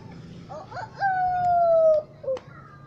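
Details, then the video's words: Wild red junglefowl recorded on 28 June 2020: a single crow with a short rough opening, then a long, clear, steady, slightly falling tone held about one second, ending in a brief clipped note; quiet background. "Suab qaib qus"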